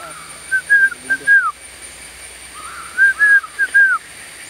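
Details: Blue-winged pitta giving clear, loud whistled calls in two bursts, each of several short slurred notes with the last one falling, the bursts about two and a half seconds apart, over a faint steady hum.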